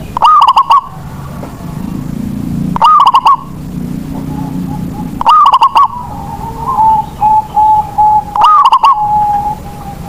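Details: Zebra dove of local stock, used to draw song from reluctant doves. Four loud, overdriven phrases of rapid cooing notes every two to three seconds, with quieter repeated coos from another dove between them.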